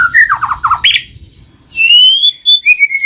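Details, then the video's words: White-rumped shama song for luring other shamas into song: quick descending stuttered notes, a pause, then a long clear rising whistle and a steady high note. "Pancinggan Murai Batu Jadi Gacor Ngeplong, Murai Malas Bunyi Langsung Respon Gacor"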